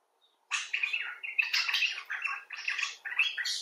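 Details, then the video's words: Common bulbul (Pycnonotus barbatus) giving expressive talking calls: after half a second of quiet, a continuous run of harsh, warbling chatter in overlapping bursts with brief pauses near 2.5 and 3 seconds. "Bulbul Talk: The Common Bulbul (Pycnonotus barbatus)"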